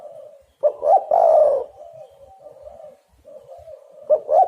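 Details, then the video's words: Spotted dove calling as a lure to draw other doves and make them call: a loud, hoarse, rolling coo phrase with stuttered opening notes, softer steady cooing between loud phrases, and a second loud phrase starting near the end. "derkuku super gacor pikat dapat burung bagus"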